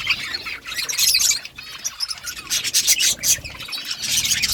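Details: Budgerigars chirping in a dense, overlapping chorus of high, scratchy warbles and squeaks with bursts of rasping chatter and brief quieter gaps.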